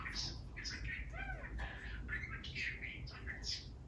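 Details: A caged pet male budgie chattering phrases on his own, in fast, squeaky, speech-like syllables with warbled rising and falling notes, soft and continuous over a low background hum.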